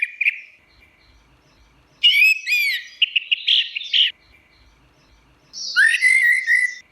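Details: Orange-headed thrush singing in teler style: a short warble, then a burst of rapid buzzy, slurred phrases, a run of quick chattering notes, and a final strident rising-and-falling phrase after a pause.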